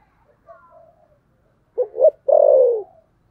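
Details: Spotted dove giving a fighting coo in the thổ sấm gù style: two short low notes, then one long, husky, falling coo. Faint soft calls are heard before them.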